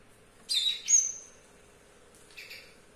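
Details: Young male Java sparrow, caged for about two weeks, singing in a kitchen despite an injured foot with a lost claw; two short bursts of high, bright chirping and ringing trills, the second softer, over a faint low hum.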